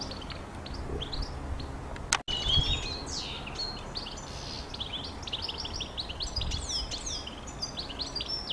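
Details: European goldfinch twittering in a lively run of quick, high rising and falling notes, briefly cut by a click, with low background noise.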